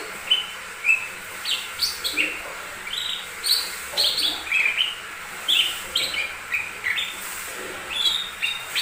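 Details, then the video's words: Lesser green leafbird song meant to prompt other birds to sing: a continuous, chattering medley of bright whistles, buzzy chips and short slurs, delivered rapidly with frequent shifts in pitch. "Pancingan burung cucak ijo mini"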